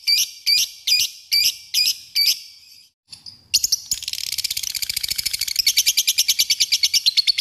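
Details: Lovebird giving the ngekek call used to provoke other birds to sing: first a string of evenly spaced sharp chirps, a brief pause, then a long rapid high trill of pulsed notes running to the end.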